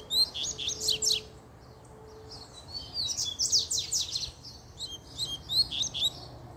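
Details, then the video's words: Repeated phrases of fast, rasping descending notes and bright high twitters from a double-collared seedeater excited after a female appeared, each phrase lasting about a second. "PUXADA DE COLEIRO 3 - A FÊMEA APARECEU O COLEIRO ENDOIDOU!!!"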